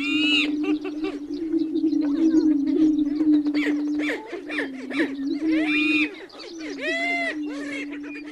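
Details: Singing black grouse: an unbroken low droning tone under busy bubbling, cooing phrases and loud hissing, sneeze-like bursts. The sound dips briefly near the middle, then the chorus resumes.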